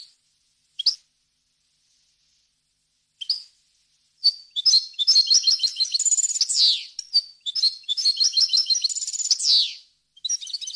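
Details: Goldfinch song for tutoring fledglings and goldfinch hybrids in the wild-language style: scattered single chips over the first seconds, then a burst of rapid jingling twitters with high trills and two downward buzzy flourishes, in a quiet setting.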